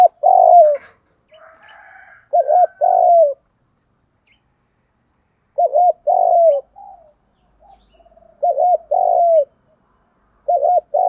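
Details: Spotted dove lure calling in thúc gù style: repeated phrases of a brief wavering note and a longer throbbing coo, roughly every three seconds. Softer higher chirping notes appear near the start.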